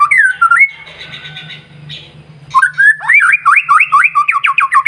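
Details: White-rumped shama song used to excite other shamas: a brief whistle, a buzzy rattling stretch over a low hum, then a quick series of repeated looping whistled notes.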